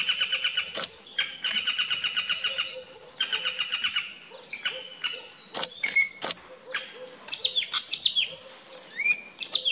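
Common green magpie giving rapid, harsh chattering bursts, then a string of loud whistles and squeaky, buzzy notes, over a faint steady background hum.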